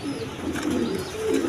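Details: Pigeons on a farm holding eggs and chicks, low throaty cooing in several short rolling phrases without a break.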